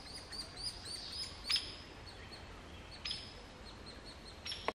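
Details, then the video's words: Hairy woodpecker nestlings near fledging, begging while being fed in the Snoqualmie Valley: faint, thin high chips repeated in a steady series, with a few louder sharp notes over soft background noise. "Hairy Woodpecker Nestlings being fed"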